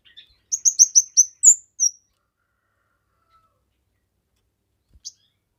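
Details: Kemade singing strongly, recorded for masteran, pikat and pancingan: a rapid string of six or seven high, sharp chirps with one swooping note, then silence and a lone faint tick.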